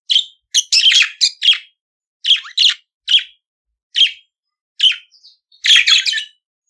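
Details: Budgerigar song meant to teach other budgies to sing: a run of short, harsh chirps at uneven intervals, about one every second, ending in a denser scratchy warble.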